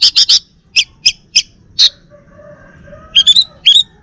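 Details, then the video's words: Male Bali orange-headed thrush kept at home, singing in short bursts: three quick buzzy notes, then spaced sharp high chips, ending with a pair of brighter rising whistled phrases over quiet room hum. "Kicau Burung ANIS MERAH Bali Jantan"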